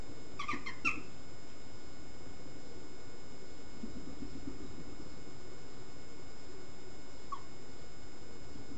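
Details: Western jackdaws at a gathering on 22 May 2021 give a quick burst of short, sharp 'chack' calls near the start, then one more call later, over a steady low rumble.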